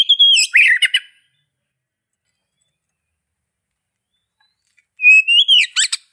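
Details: Oriental magpie-robin song comes in two short phrases separated by long silence: a whistled note sliding into scratchy chirps, and later a rising whistle capped by quick, harsh chips.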